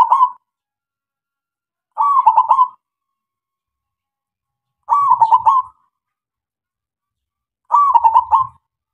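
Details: Zebra dove of local stock, played as a lure to start other doves singing: four rhythmic, rippling coo phrases arriving every two to three seconds, each short, loud and tightly pulsed.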